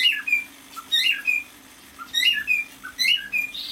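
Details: A six-month-old male cockatiel whistles a short tune in two bursts, each a cluster of bright slurred notes dipping and rising, separated by a quiet gap, ending in a faint hissy sound.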